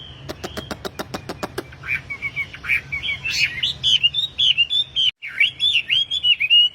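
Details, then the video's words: A tame wambi in full song, kept for training and luring other caged wambi: a burst of dry clicking taps, then a lively, rolling whistled warble of looping notes. "BURUNG WAMBI GACOR || TERAPI PANCINGAN BURUNG WAMBI"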